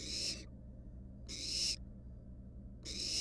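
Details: Wild barn owl nestling resting on a mouse inside its nest box gives three rasping, breathy hisses, each under half a second and spaced about one and a half seconds apart, against a constant low background hum.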